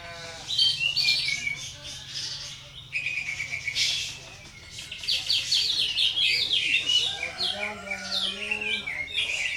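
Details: Green leafbird song from a training recording for songbird contests, with rough 'shot' phrases in combination: dense, fast, high chattering trills and slurred whistles, then a lower drawn-out whistle near the end.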